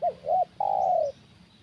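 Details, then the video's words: Spotted dove heard during a trapping session with a decoy bird: two short arched coos followed by one longer, drawn-out falling coo, clear and loud over a quiet rural background. "Permainan Tekukur Suara Besar Kuk Satu"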